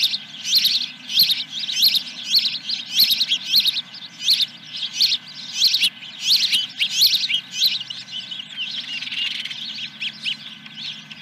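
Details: Osprey calling at the nest around 09:20 on 10 July 2021, near the first fish of the day: insistent high chirping whistles in quick bursts, roughly one and a half per second, sustained throughout over a low constant hum.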